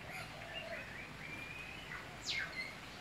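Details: Eastern whipbird (Psophodes olivaceus), one of a pair visiting daily for breakfast, on lookout and calling while the other feeds, 30 December 2016: a thin whistle held, then a sharp falling whip-crack ending in a short note; faint background birds.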